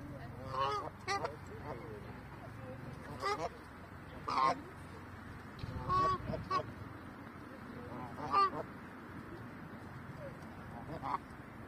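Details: Geese in Berlin honking, with loud nasal calls coming in irregular bursts, some doubled, over a low background rumble.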